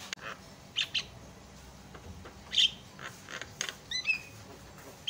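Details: Javan myna (jalak kebo) on a masteran recording used to draw other mynas into song: scattered harsh squawks and short sharp calls, ending with a few quick whistled rising notes.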